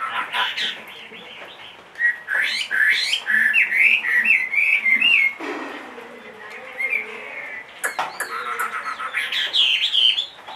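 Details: Caged Chinese hwamei, a large-bodied two-and-a-half-year-old bird, sings bright slurred whistled phrases in a rapid run, pauses with softer chatter, then resumes with high rising notes near the end.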